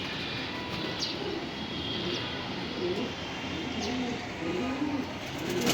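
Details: Racing pigeons at bath time in a loft in Rampura, Dhaka, Bangladesh: soft low coos come in short runs, spaced about half a second to a second apart, over a steady hissing background with a few faint high chirps.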